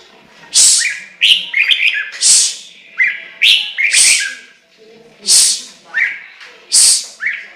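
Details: Chinese hwamei in full song, repeating phrases of looping whistled notes, each set off by a strident, hissing burst, about once every one to two seconds.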